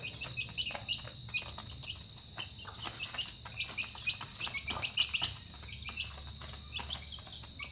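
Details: Dinner-time chicks keep up a dense chatter of bright, high peeps, some slightly downslurred, in bursts across the whole stretch, over a steady high-pitched insect drone.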